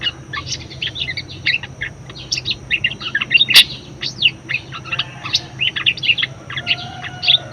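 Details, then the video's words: Budgerigar singing, used as a master and lure song to train other birds: dense chattering warble of short high chirps, buzzy notes and clicks tumbling together without pause, with a sharp click near the middle. "BURUNG PARKIT PALING GACOR_SUARA MEWAH_COCOK BUAT PANCINGAN & MASTERAN"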